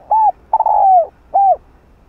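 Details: Spotted dove cooing in three soft, hollow notes, a short coo, a longer falling croo, then another short coo, against a quiet background.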